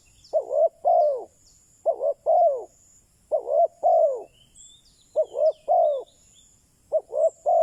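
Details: Captive decoy spotted dove calling to attract wild birds. Five low, hollow cooing phrases, each two or three notes ending in a longer croo, given at an uneven pace about every one and a half seconds, with faint distant chirps and a thin high hiss behind.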